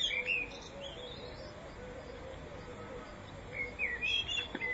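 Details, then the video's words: Spring song of a common blackbird, filmed in 2014: a mellow whistled phrase that breaks into high twittering opens the recording, then after a long quiet gap another warbled phrase with squeaky notes follows. "Chant Du Merle Noir au Printemps"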